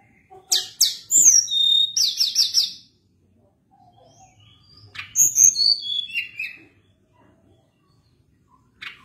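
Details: Sunda blue robin singing in a lively, long rolling style used to train other birds: two bursts of high, bright whistles and quick trills, each about two seconds, separated by a short quiet gap.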